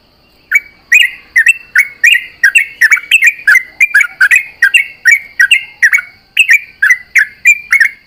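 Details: Dawn chorus of a sooty-headed bulbul answering its companions: after a half-second of quiet, sharp chirps and short slurred phrases tumble out rapidly and without a break, evenly loud to the end.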